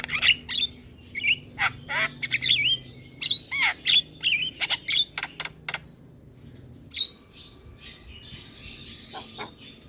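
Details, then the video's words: Caged Javan myna in vigorous head-bobbing song: a run of clicks and squeaky whistled chirps for several seconds, then softer chattering notes. "Burung Jalak Kebo Gacor Full Manggut Manggut Bikin Jalak Malas Bunyi Jadi Gacor"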